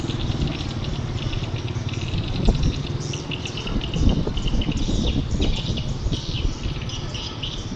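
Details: Edible-nest swiftlet calls, in the setting of swiftlet farming in Vietnam: a dense mass of high, thin, buzzy chirps overlapping continuously, over loud low rumbling background noise.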